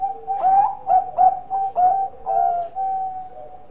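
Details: Zebra dove of the Bangkok kind singing vigorously: a string of emphatic, slightly rising cooing notes in uneven rhythm, each sharply attacked, closing with two longer sustained coos.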